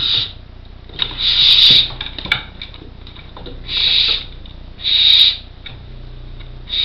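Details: Barn Owl chicks, four nearly fledged young in an artificial nest box in Co. Kerry, making harsh hissing snore calls: four loud breathy rasps spaced one to two seconds apart, with faint scratching and knocks between them.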